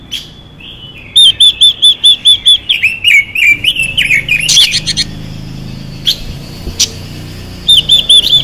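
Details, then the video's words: Chinese hwamei hen singing to stimulate males: a rising lead-in, eight looping whistled notes, a tumble of varied falling slurs and a harsh burst, scattered clicks, then a fresh whistled run. "Quế lâm hót hay kích trống Quế lâm mái xùy kích trống căng lửa hót hay"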